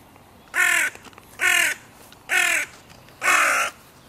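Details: Crow calling in a border dispute where three breeding pairs' territories meet at the music pavilion in König-Albert-Park. Four loud, hoarse caws at a steady pace, about one per second.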